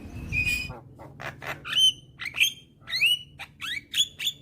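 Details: Javan myna, young and singing vigorously: after a rough buzzy start, a series of upward-sweeping whistled squeaks about every half second, interspersed with scratchy notes.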